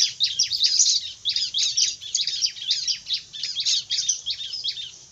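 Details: Bar-winged prinia singing fiercely: a fast, dense run of high, scratchy chirping notes in rapid clusters, repeated without pause for five seconds, with faint low background rumble.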